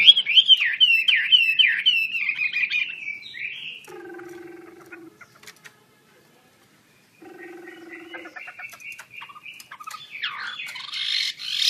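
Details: Chinese hwamei, called wambi kembang, with open wings: a fast stream of looping whistles at the start, then a low steady hum, a break, and scattered chirps that swell into a louder burst at the end.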